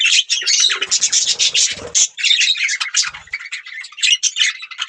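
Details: Budgie warbling almost nonstop: rapid, scratchy chirps and squeaky notes run together in a busy chatter, with a few low rustling sounds.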